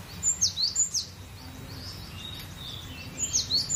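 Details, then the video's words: Cinereous tit singing in a very relaxed, open-voiced manner: a quick series of five piercing high whistles, falling and rising in turn, then near silence before a short matching phrase resumes. "GELATIK BATU..PLONG BANGET BERKICAUNYA.SUPER SANTAI.GACORR"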